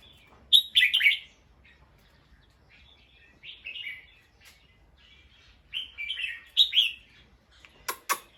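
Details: Alert bulbul sounding an alarm after hearing a sound: loud bursts of harsh, chattering chirps, each a cluster of a few notes, separated by pauses of one to two seconds, with quieter chirps in between.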